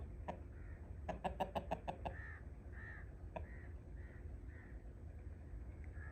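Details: Crow calling in the morning in a Punjab, Pakistan village, following a woman around and refusing the food she throws; hoarse caws repeated roughly every half second, after a burst of sharp clattering knocks, over steady low rumbling background.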